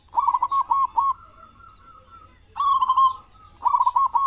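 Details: Local zebra dove with a large voice, used as a morning and evening lure for other doves; a quick stuttering coo phrase with a long level tail, a sustained coo, then another burst of rapid clipped notes.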